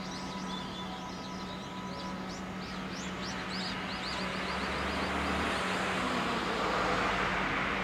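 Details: Barn swallow at a nest built on a security alarm at a convenience store in Ogawa-machi, where chicks have just hatched and are not yet calling; the bird gives quick, high twittering chirps in rapid runs over a steady traffic rumble.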